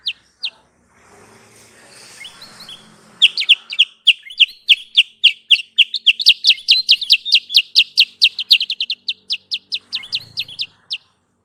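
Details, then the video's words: Lure sound for trapping sooty-headed bulbuls: a few scattered chirps over soft background hiss, then a long, fast, even volley of sharp high chips lasting about seven seconds. "Suara pikat Burung Kutilang sutra"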